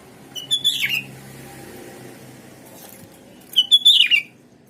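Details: Sooty-headed bulbul song played to provoke replies from other bulbuls: two short bright phrases about three seconds apart, each a quick run of chirps ending in a slurred, falling whistle, over a quiet low hum.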